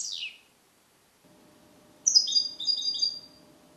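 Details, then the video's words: Song-trained captive male European goldfinch, hatched 2021, taught the Neapolitan passata, isolated in a transport cage. A sharp descending note, a pause with low steady hum, then a clear high tinkling trill-like phrase. "Cardellino Passata Napoletana 2021 - KH24 - European Goldfinch - Jilguero cate limpio"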